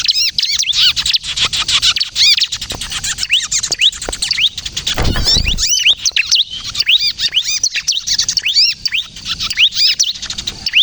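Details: Lively kejepit-style song of a bar-winged prinia, used for luring and for prompting prinias to sing: a long, unbroken torrent of high, sharply arched chirps, with a brief low thump about halfway through.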